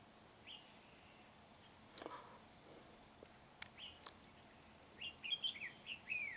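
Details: Red-whiskered bulbul of the Núi Đá type, trapped with a lure bird on 16 February 2019. Scattered single notes give way to a quick run of bright, chirpy warbled phrases, with a few sharp clicks in between.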